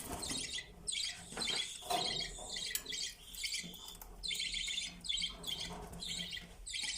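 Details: Pet budgerigars (Melopsittacus undulatus) singing: a steady, chattering warble of high, scratchy chirps and squeaks.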